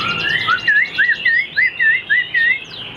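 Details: Tame caged Chinese Hwamei described as having an excellent voice; a clear looping whistle repeated about eight times in quick succession, each note dipping and rising, after brief softer warbles.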